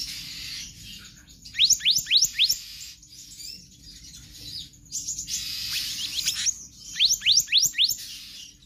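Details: Magpie-robin (kehicap ranting) singing constantly in the rapid konslet style, a recording meant as a tutor for other birds: three bursts of four to five fast, high rising whistled sweeps, with a soft hiss between bursts.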